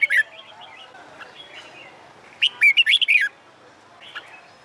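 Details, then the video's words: Red-whiskered bulbul singing to train for song contests on a hot summer day. A brief note is followed by one strong, six-note warbled phrase, with faint twittering behind it. "LUYỆN CHÀO MÀO HÓT ĐẤU/ CHIM CHÀO MÀO HÓT GIỮA NẮNG NGÀY HÈ"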